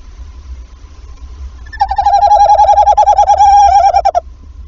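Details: Tawny owls at a nest in Wassenaar, Netherlands, on the evening of 11 February, shortly after the female laid her first egg; the male calls and the female answers. A steady, wavering, tremulous trill lasts about two and a half seconds over faint low hum.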